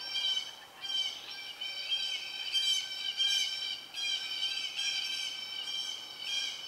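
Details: Red-shouldered hawk nest with young about to fledge and an adult delivering a snake: continuous, rich, harsh squealing with pulsing, overlapping cries that swell and fade every second or so.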